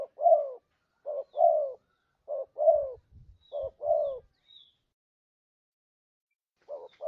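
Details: Trapping lure recording of a spotted dove, four couplets of low coos, short then long and falling, with faint low thumps near the middle and a pause before the calls resume.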